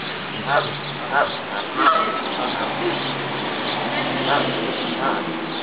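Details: A large flock of geese at an apartment complex in Columbus, Ohio, giving repeated nasal honks, several about every second at first, over a steady wash of background noise and traffic-like rumble.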